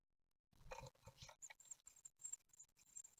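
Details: Great tit nestlings on their ninth day, begging while being fed at a nest watched by webcam in Ostwald on 15 June 2020. Thin, very high squeaky begging notes start after a second of loud rustling and scrabbling in the nest.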